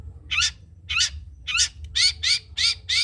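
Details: Long-tailed shrike recording meant as a tutor song for other songbirds: harsh, scratchy, broadband notes repeated about twice per second over low rumbling background noise.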